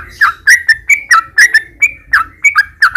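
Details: Sooty-headed bulbul singing as a lure to make caged bulbuls sing: bubbly, slurred whistles in pairs and short groups, each note bending down then up, with a faint low rumble beneath.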